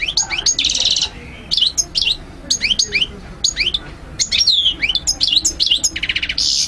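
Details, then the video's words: Training song for young goldfinches: lively twittering made of short slurred chirps in irregular clusters, broken by brief pauses, with a couple of buzzy rattling trills near the start and end. "مقنين ملك 👑 تغريد 💯 الطيور"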